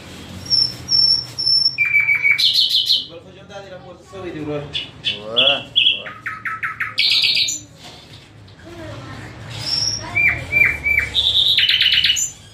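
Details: Long nightingale song passage of varied phrases: high repeated pips, buzzy trills, rapid chattering sweeps, clear whistled notes at several pitches and pulsed repeated series, separated by brief pauses.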